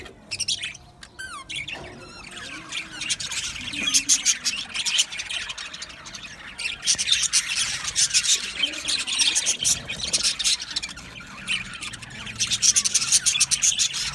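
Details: Colony of male budgerigars kept in an aviary, 8 December 2025: a few sharp squawks at first, then a swelling, dense chorus of rapid, overlapping chirps and chattering warbles.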